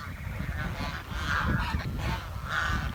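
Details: Two drawn-out nasal honks from a village swan stand out above a steady low hum, with fainter calls between them.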